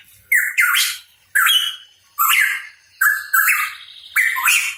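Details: Hooded pitohui, locally called cucak rawa papua, singing actively: five loud, harsh notes, each opening with a short whistled tone and breaking into a rough burst, spaced about one second apart.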